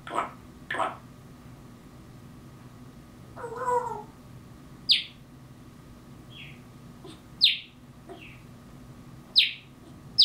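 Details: Captive African grey parrot imitating mockingbird calls: scattered short sharp chirps and squawks, a wavering mid-pitched call near the middle, then harsh high downward notes repeated roughly every two seconds, over a steady indoor hum.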